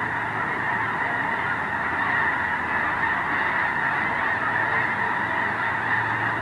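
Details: Large flock of wild geese calling together before dawn, dark and overcast, at Squaw Creek National Wildlife Refuge, Mound City, Missouri, in icy conditions, leaving to feed in nearby fields; dense continuous overlapping honking with a steady roar.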